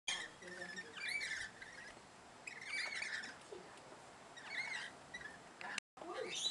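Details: Rainbow lorikeets in Queensland, Australia: harsh, buzzy screeches come in short chattering bursts of about a second, repeated several times with brief quiet gaps, over a steady background hiss.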